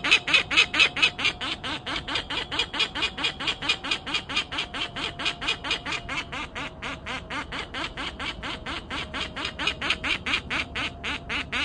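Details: A bird giving a long unbroken series of rasping alarm notes, each harsh and broadband, repeated steadily about four per second, a low constant hum in the background.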